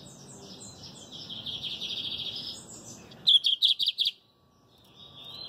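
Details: Lined seedeater (Sporophila lineola) song: a fast, high twittering phrase of buzzy notes, then five loud sharp chips in quick succession, with faint background hiss.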